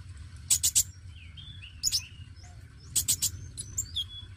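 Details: Lively oriental magpie-robin, dacok type, singing to prompt newly caught birds to sing. Clusters of harsh, scratchy high notes alternate with thin falling and rising whistles, with pauses between phrases over a low background hum.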